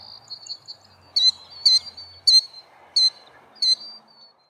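A killdeer gives five shrill, piercing notes, roughly every half second, each dropping slightly in pitch, over a faint high insect-like hum.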